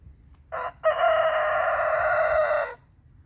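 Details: Rooster crowing in the morning to mark his territory: a short rough opening note, a brief pause, then one long sustained strained cock-a-doodle-doo lasting about two seconds before cutting off into quiet.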